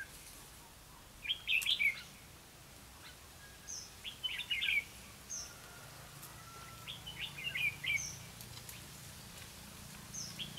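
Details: Red-whiskered bulbul used as a lure bird for trapping, recorded 4 November 2016: short bright warbled phrases of quick chirpy notes, repeated about every three seconds, with thin high whistles between them and a low steady hum underneath.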